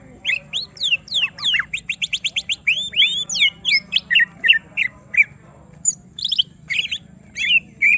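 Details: Greater green leafbird placed beside another bird and provoked into agitation so it shows its full song: a fast run of rising and falling whistled notes, followed by spaced, sharp chipping notes.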